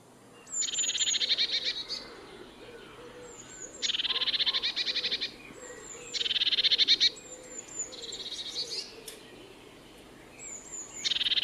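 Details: Eurasian blue tit giving repeated phrases: a few high thin introductory notes followed by a rapid buzzy trill lasting about a second, repeated roughly every two to three seconds, with soft low background noise.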